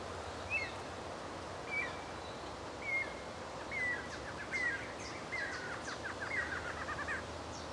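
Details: Barred Antshrike in the rural area of Presidente Prudente, São Paulo, Brazil, giving short, downslurred nasal notes about once a second, then a faster run of notes, over steady background hiss and faint distant chirps.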